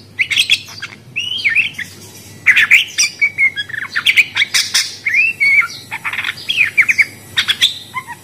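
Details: Budgerigar squawking and chirping, grating buzzy notes alternating with looping whistles in quick irregular bursts, a faint hum behind.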